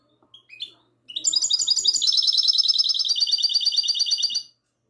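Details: Goldfinch hybrid, classic song, recorded on the night of 22 March 2020. Two short rising notes lead into a loud, rapid, even trill of high metallic notes lasting over three seconds, then it stops abruptly.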